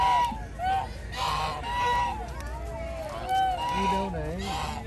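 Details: Geese in a flock roaming a park, uttering overlapping nasal honks and some lower wavering calls, with faint voices and steady background noise.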